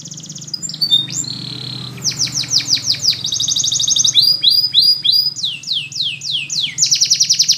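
A canary sings bright, high tours: buzzy trills, then rapid swooping notes repeated about three times a second, over a low steady hum.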